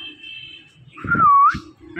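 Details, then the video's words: Indian ringneck parakeet, said to be a talking parrot: a steady high tone, then a loud, gently dipping whistle that rises at the end, over low voice-like sounds. "These Ringneck Parakeets Are The Best Talking Parrots"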